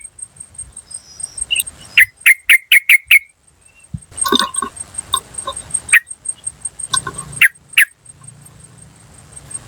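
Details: Wild yellow-vented bulbul calls for luring birds: a quick series of six sharp, clipped notes, then a muddled stretch of softer mixed notes and a few more single calls, over a constant faint high whine.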